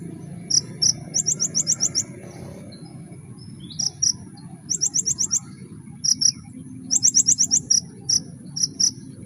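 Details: Kolibri ninja sunbird in full 'nembak' song, delivering clusters of shrill, high-pitched rattling notes in quick bursts separated by brief pauses, with a constant low background hum.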